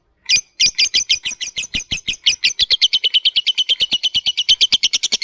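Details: Lovebird in 'ngetik ngekek' style, a long chatter played to stir other lovebirds into singing, pours out rapid buzzy ticking notes, about six per second, speeding up and growing steadier toward the end.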